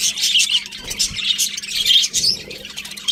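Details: Budgerigars chirp in fast, raspy bursts with a few clearer whistled notes, the chatter pausing briefly twice before resuming.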